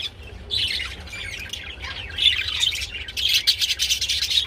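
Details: Budgerigars mating, giving a continuous warbling chatter of squawky, scratchy notes with short whistled slides, building louder toward the end, over a low steady hum.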